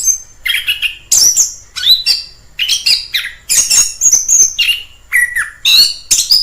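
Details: Wild orange-headed thrush in full song, a rapid varied run of whistled and buzzy phrases, some sliding down, others rising, delivered almost without pause over several seconds.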